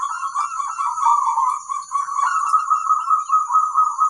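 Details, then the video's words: Lure song of a local zebra dove meant to make other zebra doves reply: a continuous rolling, pulsing coo held throughout, with a constant faint high-pitched whine behind it. "Perkutut lokal gacor ampuh - untuk pancingan semua burung perkutut"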